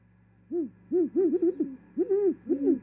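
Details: Great horned owls at an osprey nest in Charlo, Montana, on 18 January 2021, a female arriving and mating: deep, soft hoots in quick succession, two voices overlapping with one slightly higher, about eight hoots in close bursts.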